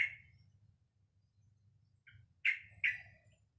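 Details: A young sooty-headed bulbul kept in captivity, obtained at two months old in November 2018, learning to sing. It gives one sharp chirp, a pause, then two loud, clipped chirps in quick succession over a low background hum.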